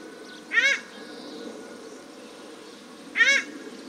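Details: Paradise shelduck pair, male and female, calling in Cornwall Park, Auckland, New Zealand: two loud, harsh, nasal honks about two and a half seconds apart against steady low background noise.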